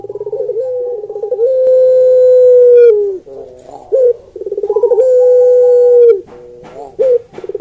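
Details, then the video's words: Barbary dove, or puter pelung, giving a melodious coo: two phrases, each a rippling pulsed trill that runs into a long, steady, level note and then slides downward. The phrases come about three and a half seconds apart. "Suara Puter Pelung Merdu"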